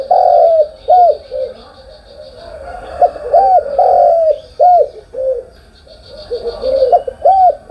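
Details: Spotted dove in the morning: hollow arched coo notes repeated in clusters, several close together, then a softer stretch before louder coos return, over a faint high hiss.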